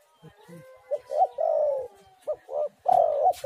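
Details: Spotted dove (tekukur) singing, played as a lure to get other doves to call: short clipped coos rising into a longer, drawn-out coo that slides downward, then two quick notes and another long coo.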